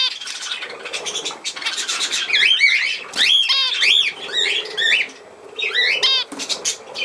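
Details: Warbling budgerigar, 17 November 2024: scratchy chatter runs into a series of bent, looping whistles that slide up and down, with short pauses between the louder phrases.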